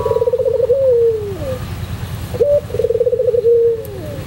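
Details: White collared dove (puter pelung) cooing: a low rolling trill that slides into a drawn-out falling coo, heard twice, over a steady low hum.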